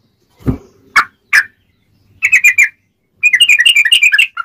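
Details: Sooty-headed bulbul, a lure for trapping wild birds: a low thud and two harsh squawky notes, then short bursts of quick whistles and a rapid rolling run of bubbling notes.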